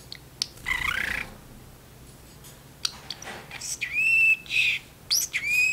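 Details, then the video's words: Talking pet parrotlet, caged in a kitchen and chatting with its owner: a wavering whistled phrase, a pause, then several clear level whistles and squeaky speech-like syllables near the end. "talking parrotlet"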